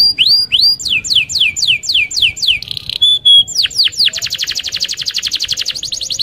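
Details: Vigorous canary rolling song for stimulating other canaries to sing: repeated high swooping whistles, a short clear held tone, then a long, even, very fast rattling trill to the end.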